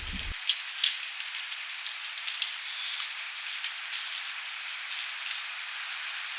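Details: Steady rain patters on a surface, with scattered sharp drop impacts and no animal calls.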